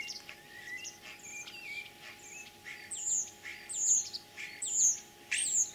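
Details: Common starling mimicking other birds in spring, in Kalyazin district, Tver region, Russia, 9 April 2023; varied whistles and rattles building into repeated loud, high shrieking downslurred notes, about four in the second half.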